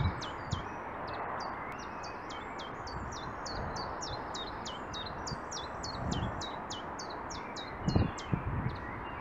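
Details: Common chiffchaff singing a song of high, short, hooked notes, several each second, against a steady hiss of background noise with a few low thumps.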